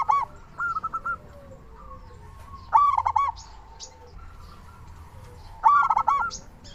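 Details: Local zebra dove calling vigorously, used as a lure to get other doves calling: short bursts of rapid, bubbly cooing notes near mid pitch, one faint then two loud bouts about three seconds apart, with fainter doves cooing in the background.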